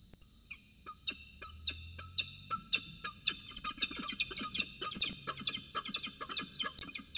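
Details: Peregrine falcons at Orange on the morning of 4 December 2018, 8.27 am, during a roundabout dance: harsh, clipped calls repeated two to three times a second, growing louder and denser toward the end.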